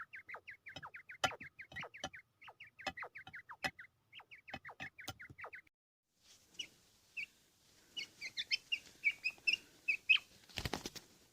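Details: Fighting quail in Pakistan, ready to fight, sparring with itself: fast runs of short sharp chirps in the first half, then scattered brighter chirps with some background rustling and a loud burst near the end.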